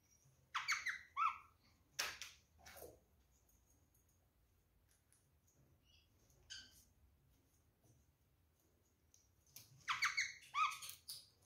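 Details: Caged pair of rose-ringed parakeets offered apple and orange; loud harsh screeches sweep downward in stacked harmonics, a burst at the start and another near the end, with quiet clicking between.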